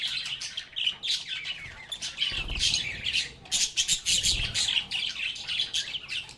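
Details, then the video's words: Lovebirds singing, playing and talking together: a dense, continuous flock chatter of shrill squawks and rapid high chirps, overlapping with no pause, with brief low rumbling thumps around the middle. "Lovebirds agapornis sounds | Relaxing Sounds of Singing, Playing, and Talking Parakeets"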